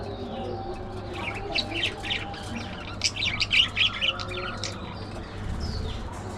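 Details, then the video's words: Pet budgerigar chattering: a busy run of rapid, varied chirps and short squeaky notes, densest mid-clip and fading near the end, over a steady low hum. "Hilarious Budgie Moments: Gossip"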